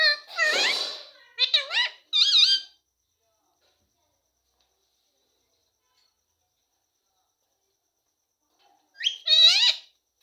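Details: A rose-ringed parakeet talks, apparently saying "mummy papa", in a high, squeaky, nasal voice: three quick word-like phrases, about six seconds of silence, then one more phrase.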